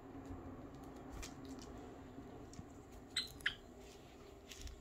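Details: A pet Java sparrow, recorded 7 March 2022, gives two quick, bright chirps a quarter-second apart against the hush of a quiet room with faint tapping, seemingly wondering why it is not being given dekopon citrus.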